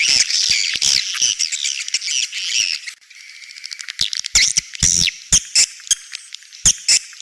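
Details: Edible-nest swiftlet 'outside' sound for swiftlet houses: a burst of dense, buzzy squawking chatter. A brief lull follows, then a series of crisp, separate clicks.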